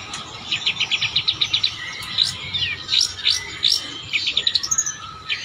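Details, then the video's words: Long-tailed shrike song full of borrowed phrases copying another bird, a lively mix of rapid chattering notes and sharp, slurred whistles, with brief pauses between the bursts. "cendet gacor isian kecekan burung kapas tembak"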